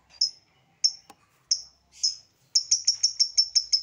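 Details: Songbird masteran: four separate sharp, high downslurred whistles spaced about half a second apart, with a brief click between them, then a quick burst of eight similar notes delivered in rapid succession.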